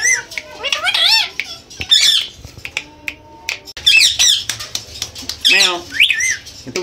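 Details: Pet Indian ringneck parakeet mimicking cat meows: drawn-out, wavering meow-like calls between harsh squawks and chatter, with a person's voice nearby.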